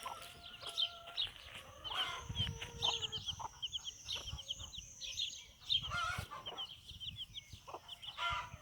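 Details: Bantam hen with her chicks taking their first steps outside on a small backyard farm; rapid high-pitched chick peeps overlap throughout, mixed with lower sustained hen calls and soft clucks.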